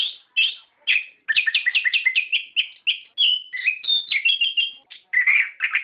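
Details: Orange-headed thrush in rolling lure song for stimulating captive birds: a few opening notes, then a dense rattling string of chirps, followed by clear whistles, twisting slurs and buzzy phrases.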